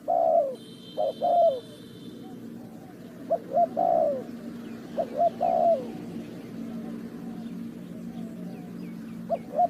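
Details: Spotted dove by a bird trap, Ninh Thuận: several short-then-long coo phrases in the first half, fading to softer cooing, with a brief electronic beep near the start and steady background noise.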